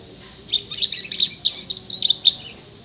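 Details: Six-month-old canary singing imitations of sparrow, ashy tailorbird male and female, white-eye, blackthroat, bar-winged prinia and whistling: a fast, varied warble of high chirps and short trills with sharp accented notes, at moderate volume.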